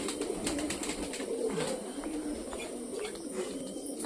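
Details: Domestic pigeons in a home loft in India, heard in the morning while grit is prepared for sick birds; soft low cooing murmurs run in the background under steady room noise and faint handling sounds.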